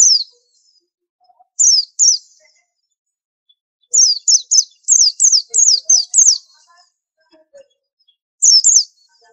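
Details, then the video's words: A long, lively white-eye phrase: scattered high falling whistles, then a fast run of about eight sharply descending notes, ending with a final pair. Very quiet background otherwise. Billed as an unusual tutor song. "Pleci super antik masterannya harus unik"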